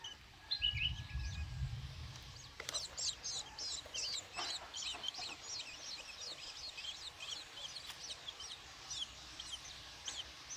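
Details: Hand-fed long-tailed shrike nestlings, six days old, beg with a quick series of thin, high chirps that run almost without pause, after a brief low rumble at the beginning.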